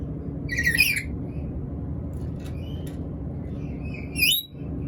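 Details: A hungry black-capped lory gives a loud rasping screech, a few faint thin notes, then another strained, rising harsh cry, while a steady hum runs underneath.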